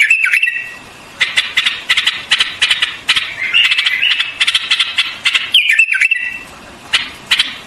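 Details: White-eared bulbul: a bubbly warbled phrase, then rhythmic bursts of harsh chattering, then another rising and falling whistled phrase.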